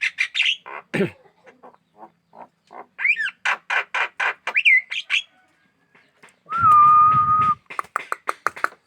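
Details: Javan myna, a kept bird described as singing eagerly and aggressive toward hands, giving a run of harsh squawky notes repeated about twice a second, some rising whistled slurs, and a loud steady flat tone near the end.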